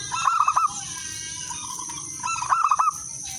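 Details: Local wild zebra dove with a clear, melodious song, used to lure other doves to sing. Two quick runs of trilled, rounded cooing notes about two seconds apart over a steady high-pitched background hiss.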